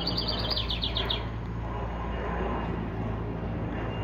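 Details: A wild songbird, thought by the observer to be a song sparrow, visiting a carport birdhouse in New Jersey gives a quick, bright trill of about seven evenly spaced notes in just over a second over low rumble.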